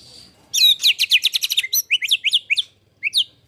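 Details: White-rumped shama master song in the rough 'tembakan kasar' style, used to train competition birds: a quick burst of about ten sharp buzzy notes, followed by several separate slurred, rising whistles.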